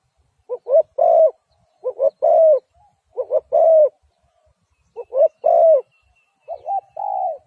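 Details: Repeated coo-coo-croo phrases of a spotted dove: paired short notes then a sustained low coo, four full phrases plus a slurred final one, steady volume, no other sounds.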